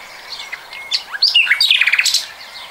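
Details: A common nightingale sings, recorded in 2020. Soft whistles lead into a sharp, swooping note, then a loud run of quick repeated pulses, ending in a high buzzy flourish.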